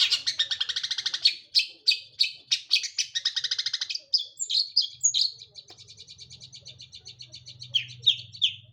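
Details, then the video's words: Long-tailed shrike in continuous song, mixing fast buzzy trills, harsh scratchy notes and chattering phrases, with a low hum in the background toward the end. "Burung Pentet gacor"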